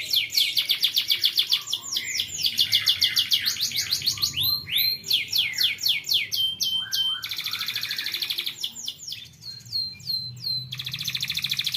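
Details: Young canaries are urged to sing by this lure song: fast rolling trills alternating with bursts of swooping whistled notes and short pauses, the phrases changing every few seconds.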